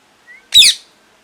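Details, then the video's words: Parrot screeching once, loud and harsh, preceded by a faint short whistled note. "Loud Parrot Chirping | Natural Parrot Sounds | Parrot Calling Sounds"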